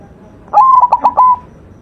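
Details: Single cooing phrase from a white zebra dove in full masteran song: a short rising note, then several rapid clipped pulses, closing on a steady sustained coo, all under a second long.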